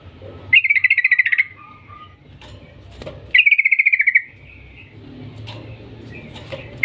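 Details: Lure recording of a yellow-vented bulbul in lively long-trill song: two fast rattling bursts of bright repeated notes, each close to a second long, with quiet gaps between.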